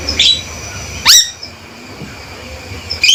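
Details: Loud, sharp calling from a male Javan myna: a brief harsh note, then a strong upward-sweeping whistle around one second, a quiet gap, and another harsh burst at the end over a steady hum.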